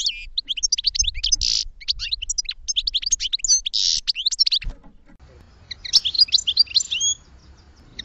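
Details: A goldfinch sings a fast tinkling twitter of high sharp notes and buzzy bursts, pausing for about a second midway before resuming the bright, jangling phrases.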